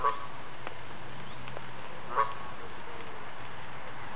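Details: A female Canada goose kept by a caring owner calls to them; two clipped, nasal honks about two seconds apart with faint ticking noises and low hum between.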